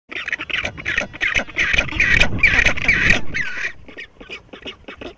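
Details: Black-browed albatross on West Point Island, Falklands, late December 2018, at a noisy breeding colony shared with Southern Rockhopper Penguins while both had chicks, preening its fluffy white chick: harsh, nasal braying notes about two a second over low wind rumble.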